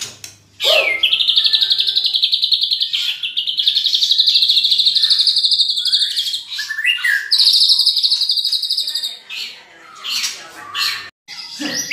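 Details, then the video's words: Champion White-rumped shama singing its rich filler repertoire: a sharp opening note leads into a long, loud, rapid buzzy trill lasting several seconds, then chattering notes and sweeps before a brief break. "MURAI BATU JUARA MATERI ISIAN MEWAH"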